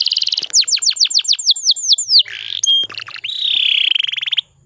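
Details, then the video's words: Female canary, kept as a lure to stir male canaries into singing, gives a quick run of high downslurred notes at about ten per second, a brief buzzy note, then a long fast rolling trill that stops abruptly. "PANCINGAN KENARI BAHAN PALING AMPUH BIKIN GACORR"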